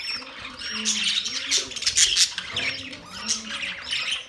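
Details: Budgerigars chatter and squawk at close range: loud, scratchy high chirps and bursts of harsh squeaks rise and fall, with several birds calling over one another continuously.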